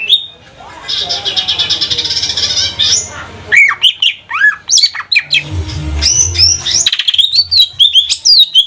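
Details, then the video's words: Caged lesser green leafbird from Banyuwangi, trotol or kuningan type, singing as a lure: a dense scratchy chatter at the start, then swooping whistled notes rising and falling, with a low rumble in the middle. "Pancingan burung CUCAK IJO TROTOL GACOR agar jamtrok"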